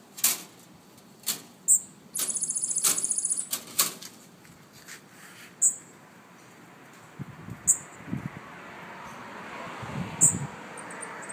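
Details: An escaped Cuban bullfinch, loose in the wild in Miami after its cage was blown down by wind, gives thin, very high chips and one buzzy, rattling trill of about a second, with soft low rumbles and handling noise later.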